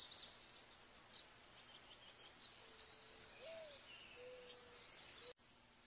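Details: Small niltava: thin, high whistled notes come and go faintly, some rising or sliding, with soft, lower pure whistles in the background.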